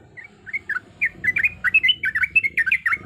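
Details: Female yellow-vented bulbul in breeding condition calling to males, giving a lively run of bubbly, gurgling two-part notes that rise and fall quickly, over a soft low background hum.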